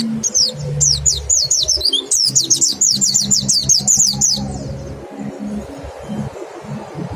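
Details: Mountain white-eye 'nembak' song meant to prompt birds to sing: dense volleys of high, slurred, down-sweeping notes during the first four and a half seconds, then a quieter stretch with a low background drone.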